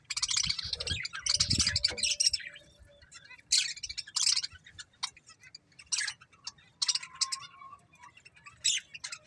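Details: Breeding pair of budgerigars, kept as pets, giving bursts of harsh chirps and chatter with short pauses, some high buzzy notes and a brief rising whistle near the end; low thumps early on.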